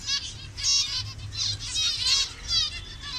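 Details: Zebra finches of mixed colour varieties kept as a colony in Bangladesh: a steady chorus of nasal, harmonic beeping calls from many birds, overlapping in rapid clusters with brief gaps between them.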